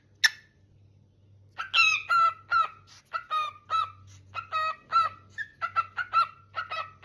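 A cockatiel gives a rapid string of bright, harmonic chirps, greeting its owner on their return home.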